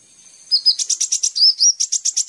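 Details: Sunbird called kolibri ninja, on a lure recording for caged birds: high slurred whistles mixed with a pulsing series of loud, rapid, buzzy chips.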